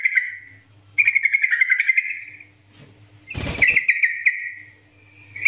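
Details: Vigorous NGGARUDA-style yellow-vented bulbul master song for training, meant to lure other bulbuls into singing: bubbling trilled phrases of quick repeated notes with gaps, one loud broadband knock midway, and a faint low hum underneath.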